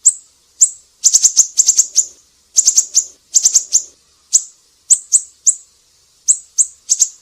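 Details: Siri-siri singing in lively, energetic form: high, thin chirps given singly and in quick clusters of three to five, sharp and bright, about two dozen notes over seven seconds with short silent gaps; no other sounds.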